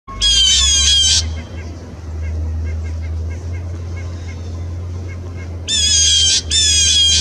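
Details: Blue Jays harassing an Eastern Screech Owl, the third time in 20 minutes, recorded 1/3/18: loud harsh buzzy jeers in a burst of about one second, faint soft chips, then two more back-to-back raspy jeers, over a steady low rumble.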